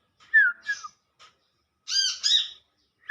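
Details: Wild olive-backed sunbird, locally called Kolibri Manggar or Kolibri kelapa, calling to its companions: a sharp downslurred whistle, a second shorter slur, then two harsh, buzzy, harmonic-rich notes a little over a second later, with near silence between.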